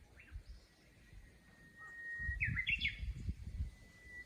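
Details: Japanese bush warbler in the countryside among a chorus: a sustained whistle leads into a quick, bright, stepping trill-like flourish, after which another long plain whistle begins. Low rumbling noise runs underneath.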